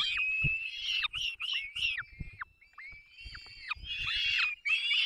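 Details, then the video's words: Peregrine falcon chicks call as their parents feed them at a Barycz Valley nest in Poland, 3 May 2024; piercing, slurred squeals repeat rapidly, with a thin sustained whine between bursts and faint thuds. "Zdenka i Borek karmią pisklaki 3 05 2024 sokoły wędrowne"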